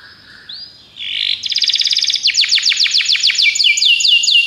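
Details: Belgian canary song for training canaries: a soft rising whistle opens, then the bird bursts into a loud rapid trill and a series of repeated downward-sweeping notes, roughly three to four per second.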